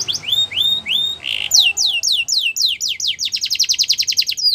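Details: Singing canary, recorded to help train canaries to sing: three rising whistles, a short buzzy burst, then a series of quick downward-sweeping notes leading into a rapid, evenly pulsed high trill.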